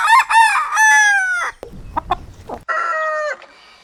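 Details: Crowing rooster: the end of one strong, ringing crow, then a pause with a few clucks, then a second, shorter crow with a steady, slightly falling tone.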